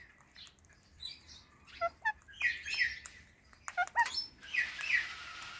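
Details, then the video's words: Pet talking ringneck parrot, kept indoors and eating guava, gives short chirps and clicking notes with stacked harmonic tones, loosely grouped in quick bursts. Some have downward-bending pitch, and there is a brighter, longer squeal near the end. "Talking Ringneck Parrot Making Cute Sounds"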